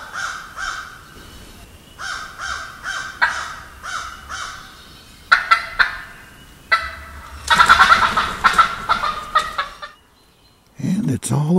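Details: Morning in the Wisconsin woods with a wild turkey: a run of short, evenly spaced clucking notes, then a loud rolling gobble of rapid rattling pulses, a brief silence, and a final burst of sound.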